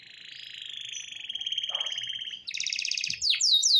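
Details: Belgian canary singing in the morning: a long rapid buzzy trill held high, then a quick pulsed rattle and sharp whistled downward-sweeping notes at the end.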